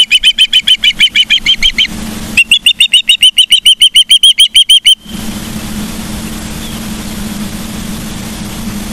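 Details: Ospreys at Charlo, Montana, on 15 September 2023 around 12:55: two loud runs of sharp whistled chirps, about four per second, followed by steady wind or hum.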